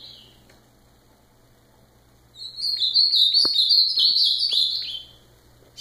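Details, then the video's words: Azulão (ultramarine grosbeak) bursts into a fast, rich warbling phrase of tumbling whistled notes with a few clicks, about two and a half seconds long, after a quiet start. "Azulão fenômenal"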